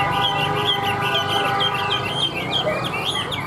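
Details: Tame caged Chinese hwamei set on a table, singing quick, bubbling whistled notes in a rapid, uneven run over a steady low hum.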